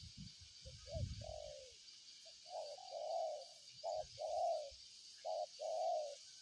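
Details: Spotted dove cooing in short-long couplets after a few thumps and rustles, backed by steady high-pitched insect noise.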